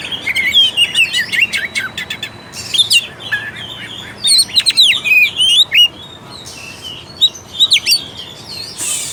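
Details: Lively Oriental magpie-robin song meant to spur a reluctant bird into singing and fighting: loud varied whistles, sharp chirps and quick slurred phrases in bursts, with short pauses between.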